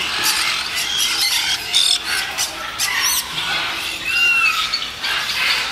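Black-headed parrots give a steady stream of shrill, screechy squawks, broken by a few clear, thin whistled notes near the middle and end.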